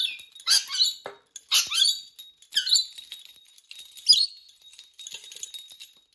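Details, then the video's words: Pet rainbow lorikeet going wild over its favourite bell toys, giving loud harsh screeches and squawks about once a second, mixed with rustling, scraping and a faint bell-like ringing. "Rainbow Lorikeet obsessed with bells"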